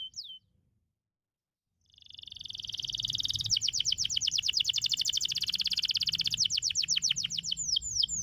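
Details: Canary song for training canaries to sing nonstop: a single brief whistle, a pause, then a swelling buzzy trill that breaks into a long fast series of repeated clicking notes.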